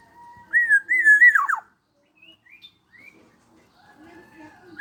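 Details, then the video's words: Black-naped oriole, 21 years old, in full song: one loud fluted whistled phrase that wavers and ends in quick falling slurs, then faint scattered soft notes and a brief start of another phrase at the end. "Burung kepodang gacor umur 21 tahun masih jooos."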